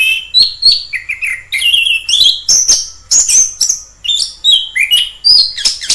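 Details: Wild orange-headed thrush in full song, a rapid, varied run of whistled and chirped phrases jumping between lower and higher pitches, with short slurred notes delivered almost continuously.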